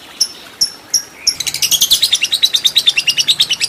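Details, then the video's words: Lovebird training recording for a fighter lovebird: a few sharp high chirps, then a fast, shrill chattering trill of rapid repeated notes, the long 'ngekek' song. "Lovebird Fighter Ngekek Panjang"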